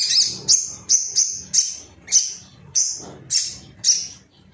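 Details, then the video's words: Ruby-cheeked sunbird, an agitated bird seeking rivals, used as training material to get other birds singing: a series of short, very high, sharp notes, each slurring downward, repeated roughly every half second, with faint low background hum. "MASTERAN SOGON AGAR CEPAT NGALAS GACOR ❗BAHAN TERAPI SOGOK ONTONG"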